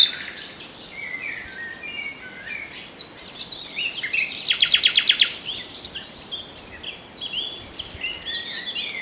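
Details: Common nightingale in a busy bird chorus, delivering a loud, rapid burst of repeated clicking notes midway, surrounded by many overlapping chirps and twitters of other birds.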